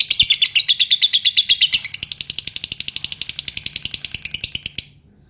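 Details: Lovebird chatter known as ngetik, used to prompt long ngekek: loud bright ticks at first, then softer rapid clicks running on before stopping abruptly.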